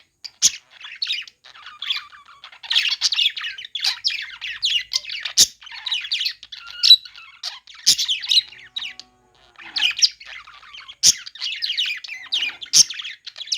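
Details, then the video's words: Budgies playing fill the air with a jittery, scratchy chirping chatter in uneven bursts, with occasional sharp clicking squawks and short pauses. "parakeet chirping sounds | budgies playing sounds"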